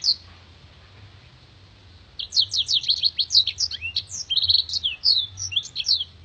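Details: Black-throated canary master song for tutoring contest birds. After two seconds of quiet, a rapid burst of high, sharp chirps and slurred whistles begins, then continues as a dense, clear, crystalline twitter to the end.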